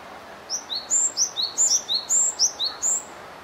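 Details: Japanese tit, 12 April 2018, giving quick, high, thin paired notes, a higher note then a lower one, repeated rapidly over three seconds above a faint background hiss.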